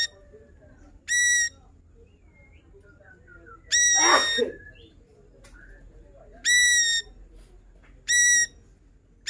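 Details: Lively ashy drongo pouring out its repertoire of copied phrases, kept for training other songbirds: short, loud, ringing nasal notes repeated at irregular gaps, one harsher rasping burst midway, and faint soft whistles between.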